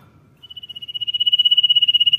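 A Common Iora gives one long, high, drawn-out whistle that swells in volume and trills with a fast pulse, over a faint low hum.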